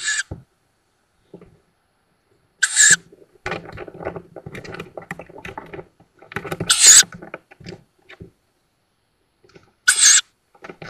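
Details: Young tawny owls fledging from a woodland nest outside Szokolya, Hungary, 7 May 2022, on nest camera: four rasping hiss-screeches at uneven intervals of roughly two to four seconds, with much rustling and scraping between.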